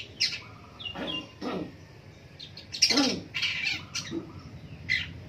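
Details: Morning song of a long-tailed shrike: loud, harsh, grating notes and squawks at irregular intervals, with some short mimicked chirps between.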